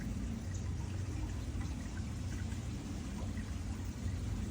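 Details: Dense, even rushing noise like pouring water or airflow fills the whole stretch, with no animal voice.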